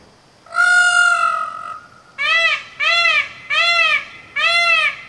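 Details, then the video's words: A pet peacock (Indian peafowl) gives one long, nasal, trumpeting wail, then four loud arched honks spaced under a second apart; no other sounds are heard. "Peacock Sounds"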